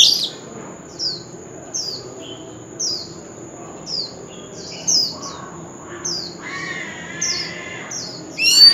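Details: Male white-rumped shama in contest-style singing, said to have an authentic forest voice: a steady series of short, high, downslurred notes about every second, fairly soft, ending in a brighter burst, with a faint constant high tone throughout.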